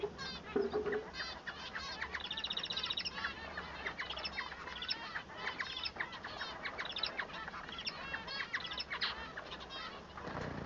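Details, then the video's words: Male Bengalese finch (Society finch) singing: fast, buzzy chattering and squeaky warbled phrases, with several small birds calling together and a faint cluck in the background. "El canto del manon"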